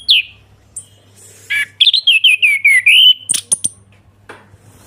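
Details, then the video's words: Lure song of an orange-headed thrush in the ngeplong style: a single downslurred note, a pause, then a rapid cascade of about ten clear notes falling and rising again, followed by a few sharp high clicks. Faint hum behind. "ANIS KEMBANG NGEPLONG PANCINGAN TERAPI ANIS KEMBANG MACET BUNYI SEKETIKA LANGSUNG NYAUT DAN GACOR"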